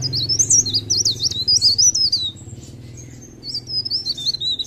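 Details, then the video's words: Mountain leaf warbler singing eagerly, a quick chain of bright zigzag whistles, a short lull, then another wavy high phrase; steady low hum underneath. "Suara Blerengan ( Cikrak daun ) Gacor"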